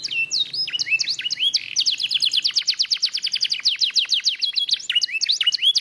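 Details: Lemon yellow canary singing energetically: fast runs of bright descending chirps repeated about twice a second, mixed with rising whistled slurs and short trills, all high-pitched and loud, with a faint low hum underneath.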